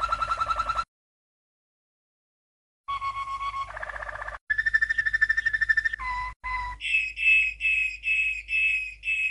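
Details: Waterslager canary from 1997, a first champion, in a training song: pulsed rolls at shifting pitches separated by a silent gap, brief deep notes, then high clear slurred phrases repeated steadily.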